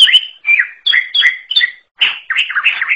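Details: Quick run of clear whistled phrases from a greater green leafbird, notes dipping and rising in pairs, ending in a warbling, tumbling flourish.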